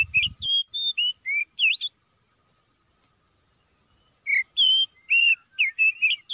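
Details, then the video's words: Oriental magpie-robin (kacer) song used as a trapping lure in an oil palm plantation: two bursts of varied clear whistles, rising and falling notes about twice a second, over a steady high insect drone. "Pikat burung Kacer"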